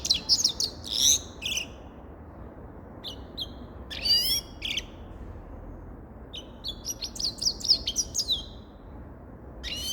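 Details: Grey-crowned goldfinch singing in separate bursts of high, jingling twitters with pauses of a second or two between phrases.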